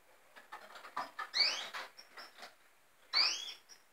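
Red siskin giving high, thin chips and twitters, with two brighter upward-sweeping notes about two seconds apart.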